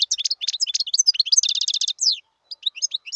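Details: Wild European goldfinch, 2018, singing a fast, high tinkling twitter. Short chirps and slurred notes run together, and a rapid buzzy trill falls in the middle. The singing ends with a few scattered notes after a brief pause.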